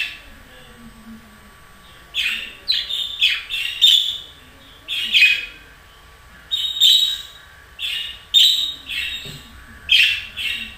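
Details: Budgerigar song: bursts of scratchy, bright chirps and warbles in uneven clusters every second or two, some notes sharp and clicking, with quiet pauses between phrases and a faint low murmur underneath.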